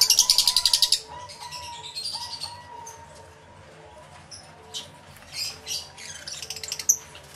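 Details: Lovebirds in a crowded aviary, recorded with a camera and two external microphones: a fast rattling burst of high chirps opens, then scattered squeaky calls and brief chatter over a steady low hum.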